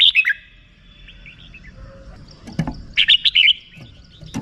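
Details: Red-whiskered bulbul singing 'rik' style: a short warbled phrase opens, faint thin notes and a click follow, then a second bright phrase of four or five quick chirped notes.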